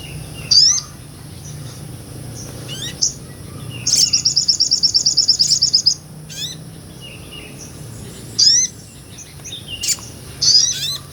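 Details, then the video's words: Vigorous song of a sunbird, a small nectar-feeding bird, recorded with a Sony A6400 as tutor material for songbirds. Isolated piercing, rising chirps separated by pauses, plus one tight two-second buzzy trill of rapid repeated notes. "MASTERAN SOGON NGOBRA"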